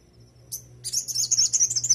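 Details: Brief, dense high twittering trill from an oriental white-eye, "isian sogok ontong" master song for teaching other white-eyes, preceded by one short sharp chip, over a low steady hum.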